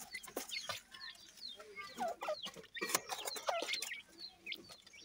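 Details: Deccan francolin pair with chicks, kept for breeding; thin rising and falling peeps from the chicks come in quick bursts, mixed with sharp clicks and knocks.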